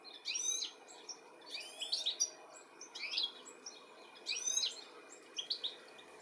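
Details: European goldfinch looking for its young, UK, 13 July 2017; repeated bright, tinkling chirp bursts with buzzy slurred notes, roughly one each second, over a low steady hum.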